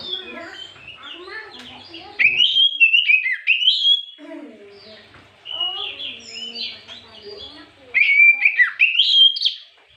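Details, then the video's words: Oriental magpie-robin singing in the afternoon as a lure to provoke other magpie-robins. Rich, varied whistled phrases, some sliding and warbled, come in bursts separated by short pauses, with softer lower notes between the loud passages. "Pancingan Terjitu burung kacer di sore hari"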